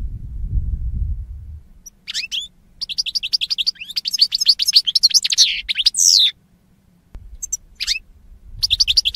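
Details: Goldfinch song played to teach captive birds: low rumbling noise first, then lively, rapid twittering with high sweeping notes and a buzzy burst, pausing briefly before resuming in short chirpy phrases.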